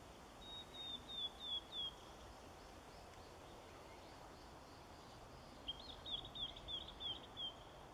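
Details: White wagtail in Kasumi Park, 13 October 2013, giving two bursts of rapid, sharp, high call notes, four or five quick chips in each burst, separated by a pause of several seconds, against a constant low rumble.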